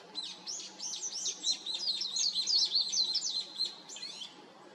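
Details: Warbling white-eye singing from an electric wire: a fast, high, twittering warble of tumbling, slurred notes that runs on without a break for about four seconds, over quiet background hum.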